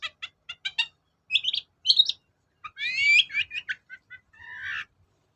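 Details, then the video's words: Long-tailed shrike (cendet) song used as a lure to provoke reluctant cendet into singing: rapid series of short ticking notes, then high squeaky phrases, a buzzy slurred burst and a drawn-out harsh rasp at the end. "BURUNG CENDET GACOR || SUARA PIKAT CENDET SUSAH BUNYI"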